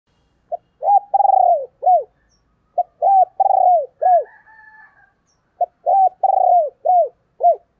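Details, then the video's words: Female spotted dove cooing: three phrases, each a short soft note, then an arched coo, a long rolling purred note that slides downward, and one or two arched coos. A faint higher drawn-out call sounds between phrases. "cu mái gáy"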